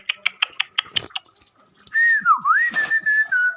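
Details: Long-tailed shrike singing busily with mimicked garden-bird notes: a quick run of sharp clicks, a short pause, then long slurred whistles that dip and rise before levelling out.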